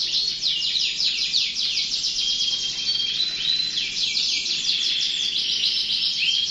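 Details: Canary song heard as a thick, unbroken mass of high trills and slurred whistles, crowded and overlapping throughout.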